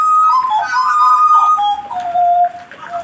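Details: Jagal blorok kept as a songbird and warmed up, producing a steady high whistle that steps down into lower wavering whistled tones.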